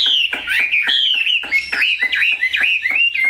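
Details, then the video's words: Large pure-bred Chinese hwamei in captivity singing loud ringing whistles, each swooping phrase broken by short sharp clicks, repeated in quick succession. "Mi họa thuần, bộ to, chất giọng cực hay"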